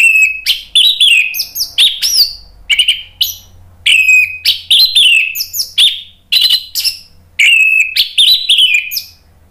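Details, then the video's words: Orange-headed thrush song played to encourage kept birds to respond and sing; loud varied whistled phrases with sweeping downslurred notes and sharp chips, delivered in quick bursts every second or so with short gaps. "SUARA ANIS MERAH bikin ikutan NYAUT NGEPLONG GACOR ¦ PANCINGAN AM"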